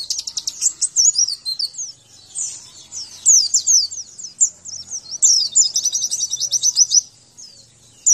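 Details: Javan white-eye training song: an energetic high twitter of rapid, squeaky notes ending in a quick, rattling series of short repeated chirps, then a brief stop.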